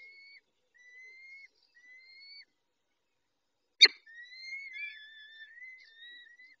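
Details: Peregrine falcon male tending females at the nest, 23-05-21, 19:40: three long level whistles with a pause, a loud click, then a longer, wavering whistled call that dips and recovers.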